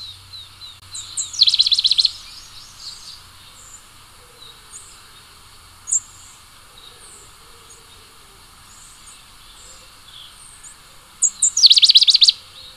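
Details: Pale-headed brushfinch singing two brief bursts about ten seconds apart. Each opens with thin, high, downslurred whistles, then runs into a fast series of sharp repeated notes. A single short chip falls between them over a quiet background hiss.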